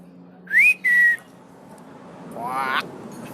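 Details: Asian pied starling bobbing its head as it calls: two loud clear whistles, the first rising and the second flat and slightly falling, then a harsh rising buzzy note over a low hum.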